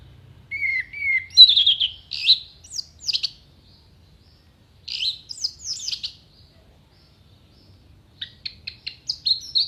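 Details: Singing orange-headed thrush, clear-voiced, delivering fill-in material for songbird contests. Gives whistled notes, then clusters of sharp, high, rapidly repeated chips and sweeps in three bursts with brief pauses between them.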